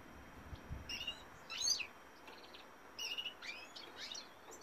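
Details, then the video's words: Male European goldfinch singing in 2018, heard as sparse, quieter bursts of high twittering notes and a few short level tones, separated by gaps of near silence. "goldfinch cock singing"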